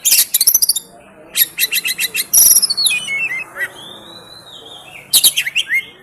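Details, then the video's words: Oriental magpie-robin (kacer) tutor song for training captive songbirds: bursts of rapid high chips and ticks, then sliding whistled notes falling in pitch, a long level whistle, and another burst of chips. "Masteran untuk burung Kacer"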